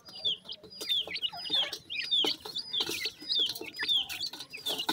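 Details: Several dakhni teetar (grey francolin) chicks peep while happily feeding, giving clear high downslurred notes about twice a second, overlapping one another, with light tapping of pecking.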